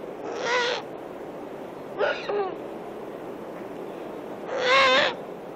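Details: Eurasian eagle-owl owlets begging for food give harsh, hissing, raspy screeches, three drawn-out bursts about two seconds apart over a quiet background; the female's voice is also heard in the background.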